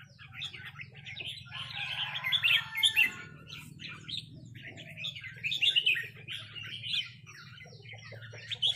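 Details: Red-whiskered bulbuls in a heated exchange of rik calls, one answering a resident territorial bird; dense bursts of scratchy, warbling chatter rise and fade in waves over a low hum.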